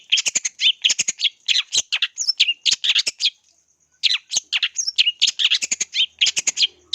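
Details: Long-tailed shrike lure recording for training birds: nonstop busy chatter of harsh, buzzy notes mixed with short whistled slurs, broken by a brief silence near the middle before resuming just as dense; a steady thin high whine runs behind.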